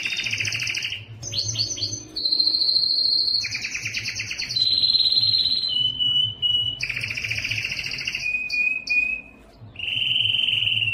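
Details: Varied song from a yellow canary, alternating high and low rolled tours and whistled trills separated by brief gaps.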